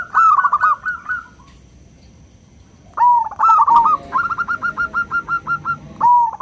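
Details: Small local zebra dove singing in a loud, clear 'crystal' style, meant as a lure to call companions and excite other doves. A rolling coo phrase is heard, then a silence of about a second and a half, then a hard note followed by a fast string of even pulsed coos.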